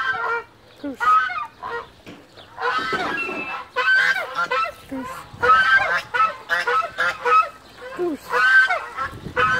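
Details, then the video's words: A goose gives loud, nasal, harsh honks in uneven bursts, some drawn out and some clipped short, with brief quiet gaps between them. "Goose noise"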